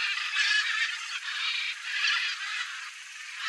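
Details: Wild flock of Blue-and-yellow Macaws returning after feeding on soybeans left by a combine harvester in a cerrado field; a dense, continuous mass of harsh, overlapping calls that swell and fade without pause.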